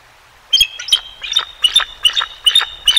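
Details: Male and female bald eagles calling at their Decorah North nest on a bright February 20, 2023, live-cam recording: a steady series of sharp, high chittering whistles with squeaky overtones, repeated about twice per second.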